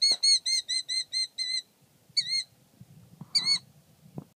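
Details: A male Killdeer, far more protective than its calm mate, gives seven quick, shrill piping notes, then two more after a brief pause, with a faint low rumble underneath.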